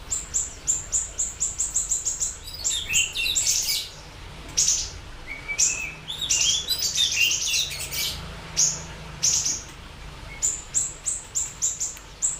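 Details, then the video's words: Siri-siri bird, chatty song recorded to lure and tutor other birds: evenly spaced high chip notes repeated about twice a second, broken by rich bursts of warbling and slurred whistles, then the steady chips resume. "Pancingan Dan Masteran Burung Siri Siri Gacor Dor"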